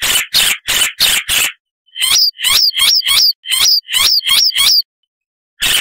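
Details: Loud, varied Icterine warbler song: five rasping, broadband harsh notes in quick succession, a brief gap, then a series of sharp, high slurred chirps repeated roughly three times a second before a final harsh note.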